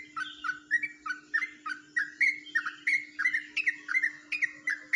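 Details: Yellow-vented bulbul, Jombang, delivering its distinctive ropelan song: an unbroken chain of quick chortling notes, each rising then dropping, paced about three a second against a faint steady hum.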